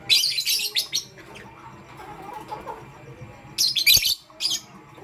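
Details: Lovebirds, pastel gray and green, chirping in the morning: a dense burst of harsh, shrill chirps opens, then a quiet pause, then another rapid cluster of scratchy high notes near the end.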